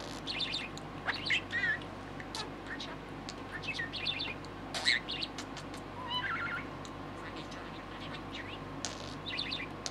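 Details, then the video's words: Young male American budgie, six months old, chattering to a favourite green yoyo ball: bursts of buzzy chirps, rapid twitters and mumbled talk-like phrases, with pauses between them over a constant low hum. "Talking Parakeet"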